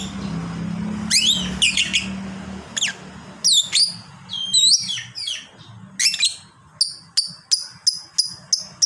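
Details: Long chatter from a fighter lovebird: varied shrill, down-slurred squeaks, then a run of evenly spaced high chips about every third of a second. A low hum is heard early on.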